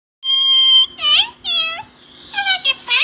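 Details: Pet talking parrots kept indoors, one producing speech-like mimicry: a long harmonic-rich note, then two short swooping syllables and a run of quick chattering, voice-like sounds over a faint low hum.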